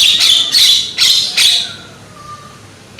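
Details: Loud young Javan myna (jalak kebo), used to draw out song from other mynas: three harsh grating squawks in quick succession, then a faint thin whistle.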